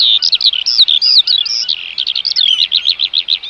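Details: Eurasian oystercatcher piping: loud, shrill notes at first, then a rapid, even trill of short, sharp peeps toward the end.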